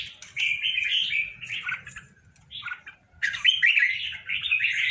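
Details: A tame pair of red-whiskered bulbuls kept as cage birds; bright, chattering warbled phrases with quick slurred whistles, a pause near the middle, then a louder rush of tumbling notes.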